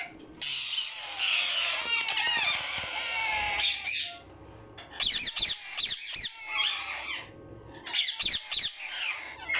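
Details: Captive breeding pair of green rose-ringed parakeets with chicks: a long stretch of rasping screeches, then a quieter pause followed by short, sharp squawk bursts from several birds.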